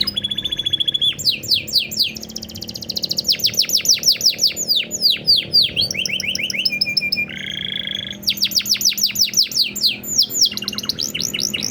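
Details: Canary master song with super cengkok in blak strut style, for stimulating other birds to sing: loud, fast sequences of high descending sweeps, buzzy trills and steady whistled notes, changing phrase every second or two.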